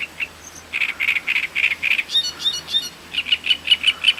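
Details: Great reed warbler singing near Voronezh, Russia, recorded in 2012: loud, harsh, croaking notes repeated in quick runs, then higher squeaky notes, then a steady series of grating chirps roughly every fifth of a second.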